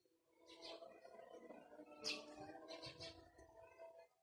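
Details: Pet ringneck parakeet producing a sustained, humming, voice-like phrase with brief high squeaky accents in the middle and near the end.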